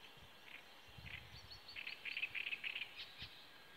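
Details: Great reed warbler singing in reeds at Gamleby, Sweden: grating, chattering notes repeated in quick bursts, several a second, with low rumbles of wind beneath.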